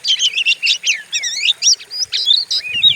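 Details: Oriental magpie-robin used as a stimulating lure for kacer: distinct short phrases of sweet whistles and quick sliding notes, repeated in bursts of about a quarter second, loud and clear.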